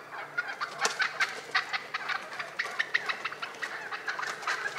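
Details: Wild turkeys in early spring in Rhode Island: a rapid, uneven stream of short, harsh, clucking notes, several per second, continues throughout, each note brief and clipped, with no other clear sounds.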